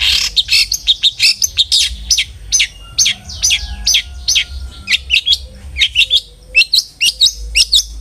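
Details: Lively long-tailed shrike song played to coax other shrikes into singing: rapid sharp high chips and short slurred notes repeated in quick uneven bursts, some raspy, with a faint low hum behind.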